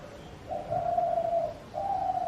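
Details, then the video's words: Spotted dove: one sustained low coo about a second long, then a brief gap and a second coo beginning, over quiet steady background. "Sound of Spotted Dove bird / फाख्ता की आवाज़"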